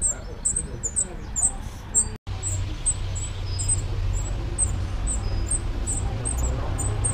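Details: Spotted flycatcher nesting in an odd spot among screws, Dombóvár, Hungary, 8 June 2017, filmed from a window hide: thin, very high short sharp notes about twice a second over a steady low rumble of traffic or wind.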